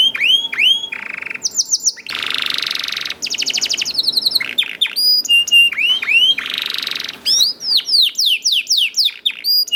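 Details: Young canary singing persistently as a lure for other caged canaries, alternating rising whistled swoops, harsh buzzy rolls, quick repeated chips and bright level tones in rapid succession.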